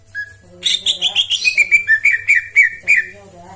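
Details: Greater green leafbird in tembakan song style: after a lone whistle, a rapid burst of sharp high chips and slurred whistles, about three notes a second, with short bright phrases repeated toward the end.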